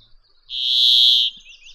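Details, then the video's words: A Brambling gives a single drawn-out, nasal, buzzy 'dzweee' lasting under a second, steady in pitch, against a quiet background. "Audio del Pinzón real"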